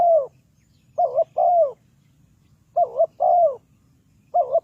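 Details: Spotted dove calling as a decoy to lure birds into a trap: low hooting coos in paired phrases, a short wavering note followed by a longer, slightly falling one, repeated at irregular intervals over faint low background hum.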